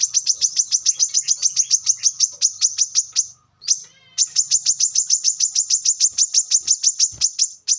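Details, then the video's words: Brown-throated sunbird in the wild, recorded for luring birds: long, fast, steady run of sharp high chipping notes, roughly four per second, broken once by a brief rising trill before resuming. "kolibri kelapa | manggar | wiceh | pancingan korlap dengan suara asli alam liar gacor"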